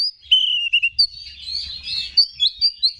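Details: Oriental magpie-robin song meant to provoke rival males: a long descending whistle followed by bright chirps and a busy mix of warbled high notes, with a low hum underneath.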